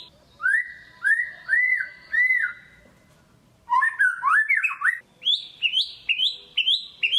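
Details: Caged white-rumped shama in a lure song for sluggish birds: four looping arched whistles, a silent gap, then a rapid jumble of tumbling notes and a series of bright rising phrases.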